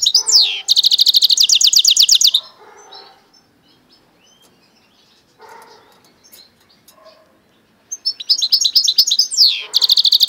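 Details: Goldfinch × canary mule singing: two bursts of rapid, high, evenly repeated trilled notes open and close the passage. A quiet stretch in between holds soft, lower, harsher sounds.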